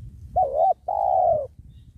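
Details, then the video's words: Spotted dove, penguku type, calling while wild doves are trapped beside a sacred tree: a brief wavering rise-and-dip note followed by a longer level, slightly vibrating coo, over faint low rumble. "Bl banggo penguku penghuni pohon kramat"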